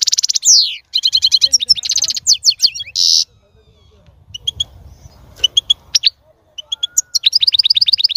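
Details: European goldfinch song meant to stimulate a female to mate and breed: bright, rapid twittering with tinkling, buzzy notes in quick bursts separated by short pauses. A faint low hum runs underneath.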